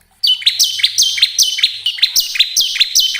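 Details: Bar-winged prinia song used to prompt caged birds into singing, a fast series of sharp, buzzy, downward-sweeping high notes repeated steadily for three seconds after a sudden start.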